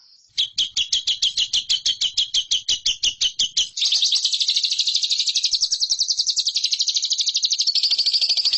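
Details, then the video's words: Lovebird in a masteran training recording for competition birds: about sixteen evenly spaced sharp chirps, then a switch into a long, high, fast, continuous trill. "MASTERAN LOVEBIRD RAHASIA BURUNG JUARA"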